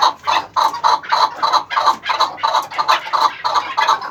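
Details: Eleven-month-old chukar partridge giving a steady series of hoarse, clucking chuk notes, roughly three each second, each note short and pulsed, the rhythm even and insistent throughout.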